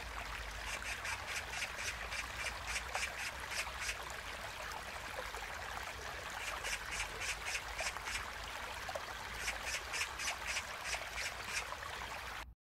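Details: Oriental magpie by a stream: harsh, rasping chatter in rapid rattling series, several bursts of evenly spaced notes across about twelve seconds, over a steady rush of flowing water.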